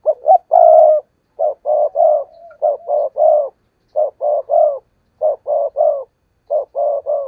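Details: Decoy spotted dove calling to lure wild doves for trapping: loud, steady runs of low hollow coos in twos and threes, repeated about every second, with brief pauses between phrases.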